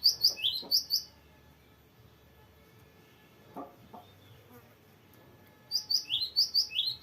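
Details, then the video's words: Energetic cinereous tit in long, varied rolling song used as a master recording for young birds; a short burst of sharp, high two-part notes opens, followed by near silence with faint knocks, then a rapid repeated phrase returns at the end. "GELATIK BATU GACOR NGEROLL PANJANG BERVARIASI"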